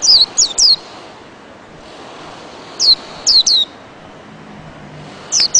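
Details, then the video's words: White-eye giving widely spaced pairs and triplets of high, thin, downward-sliding notes over steady background hiss. "Burung pleci"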